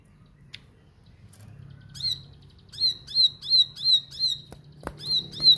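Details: Bar-winged prinia singing insistently, used to rouse other prinias into fighters: after a quiet start, sharp high downslurred notes repeat about three times per second over a low steady hum.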